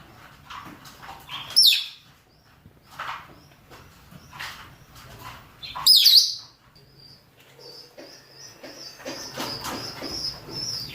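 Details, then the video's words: Male and female rosy-faced and Fischer's lovebirds calling for mating: two loud, shrill, sharply bending shrieks about four seconds apart over a steady background of thin, high chirping and twittering. "نداءات ذكور وإناث طيور الروز والفيشر من أجل التزاوج"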